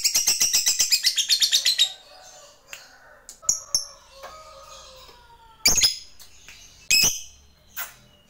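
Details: Fighter lovebird calling a rival: two seconds of fast, high, buzzy chattering ngekek notes, then sparse sharp chirps, a few thin whistles and scattered clicks in a quiet room.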